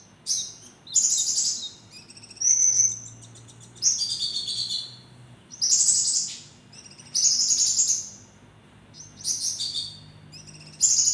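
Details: Javan kingfisher calling actively with sharp notes: a series of high, harsh, ringing bursts repeated about every one and a half seconds, mixed with thinner whistled notes, over a faint low hum.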